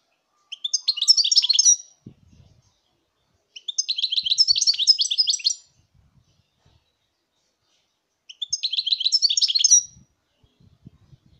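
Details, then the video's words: Three rapid phrases of twittering, tinkling goldfinch song from 2019, each about a second and a half long and spaced roughly three seconds apart, with faint low knocks in the quiet gaps. "chant chardonneret"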